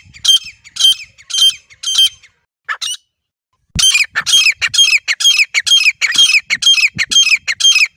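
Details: Wild desi teetar, the grey francolin, hunting call recorded in nature: a short series of shrill rasping notes, a pause near three seconds, then a faster steady run of harsh repeated calls, with a low knock.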